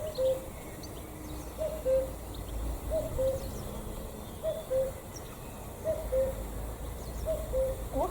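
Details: Common cuckoo (Cuculus canorus) singing on a sunny but chilly spring morning in a Ukrainian village, perhaps two or more birds, calling unusually long: a low two-note 'cu-coo', second note lower, about every 1.5 seconds, with faint other birdsong and a low rumble.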